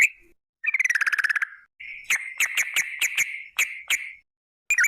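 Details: Yellow-vented bulbul, a lively singer, in a recording used as a lure to make other bulbuls sing. First comes a fast, rattling stuttered trill. Then a run of sharp, clicking, bubbly notes on a steady mid-high pitch, about eight in two seconds, followed by a brief silence.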